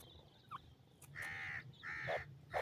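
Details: Pheasant chicks in a forest responding to a pheasant's call: three loud, harsh, buzzy calls rich in overtones, each about half a second long, with a few soft descending peeps between them over a low background rumble.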